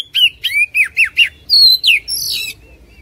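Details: Oriental magpie-robin singing, used to get a caged bird going: a string of loud, bouncy whistled notes that dip and rise, ending in a higher, harsher buzzy phrase.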